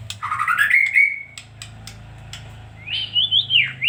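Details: Female white-rumped shama giving whistled phrases that rise and fall, with sharp clicks between them, over a steady low hum.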